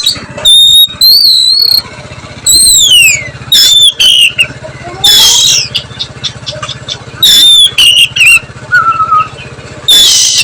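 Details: Oriental magpie-robin whistling its nyiul song in the afternoon: strings of pure, level and falling whistles mixed with sharp chips and a harsh burst, over a steady low mechanical hum throughout.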